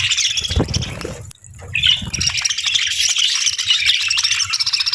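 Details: Budgie chirping at morning, opening with chatter and a low thud, then a short silence, followed by a sharp rising chirp and an unbroken flow of high, busy warbles.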